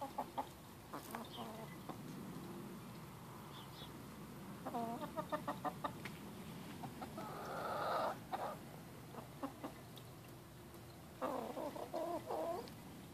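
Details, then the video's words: A Black Australorp hen clucks in quick bursts of short, throaty, growly notes likened to a death metal singer, with a longer rising squawk midway, over a steady background hum. "Sound of a Black Australorp Chicken"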